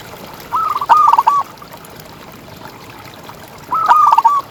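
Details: Contest-grade local zebra dove, ngalas-style active singer for tutoring other doves. Two rich cooing phrases about three seconds apart, each a rolling string of soft notes ending on a longer held coo, with low hiss.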